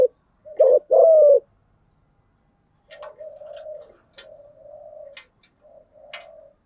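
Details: Female spotted dove kept as a decoy to excite wild-caught doves: one loud double-then-long coo phrase, followed by several soft, low, drawn-out coos with light clicking.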